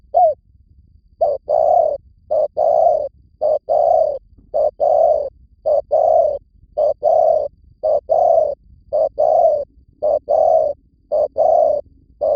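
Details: Spotted dove lure call from Vietnam, a long steady series of loud mellow coos in short paired and single notes, roughly one burst per second, clean with almost no background noise.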